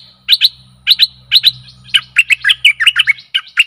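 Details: Stripe-throated bulbul song for luring aggressive wild birds: paired sharp high chirps repeated about every half second, then a rapid string of bubbling notes, over a low steady hum.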